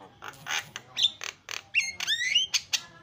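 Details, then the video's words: Javan myna delivering a lively song: rough squawky notes broken by bright rising and falling whistled slurs, in short separate bursts. "SUPER BERISIK JALAK KEBO SUARA ISIAN"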